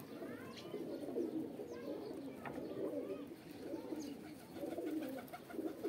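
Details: A flock of pigeons coos in a mating call, a steady low throaty chorus with repeated rising and falling swells, scattered faint chirps and a little background chatter.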